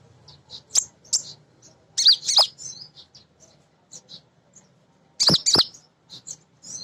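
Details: A female sunbird, known locally as kolibri ninja, sings as a lure for newly kept birds: sparse high chirps and brief twittered phrases separated by pauses, with loud clicks among them.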